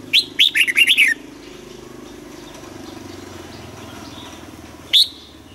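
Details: Caged red-whiskered bulbul decoy singing in the morning to goad other bulbuls into song, double-note wild style: a fast string of loud, bubbly warbled notes, then a long lull with low hum and one closing note.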